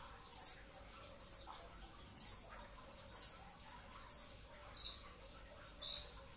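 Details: A brown-throated sunbird sings sharp 'tembakan' notes in the pre-dawn sahur hour: seven loud, very high, clipped notes, alternating slightly higher and lower pitches, close to one per second.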